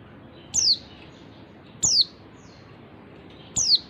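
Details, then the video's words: Lure call of a female oriental white-eye for stirring males that stopped singing: three clear, high, thin notes, each falling in pitch, given about one and a half seconds apart against soft background noise. "suara pleci betina bikin jantan bongkar isian"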